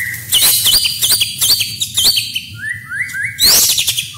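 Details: White-rumped shama masteran with rich fill-ins, shots and rolls: loud, rapid, high chips and looping whistles, then three rising whistled slides, and a sudden bright burst near the end.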